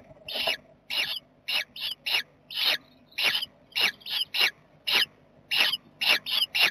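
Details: A Western jackdaw family at a nest box on 7 May 2020, where a barn owl visits at night. The jackdaws give harsh, rasping calls, about fourteen in seven seconds at an uneven pace, some doubled in quick pairs; nothing else intrudes.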